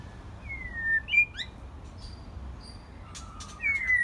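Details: White-rumped shama, a first-molt bird, singing on a quiet evening: a falling whistle, then short high notes, brief clicks, and a rising whistled phrase near the end.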